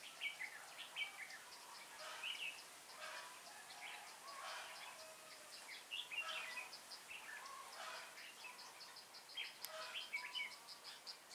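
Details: Red-whiskered bulbul, a caged decoy bird used for trapping, recorded 19 January 2018: bright, bubbly warbled phrases repeated throughout, with thin high ticks and a steady outdoor hiss behind.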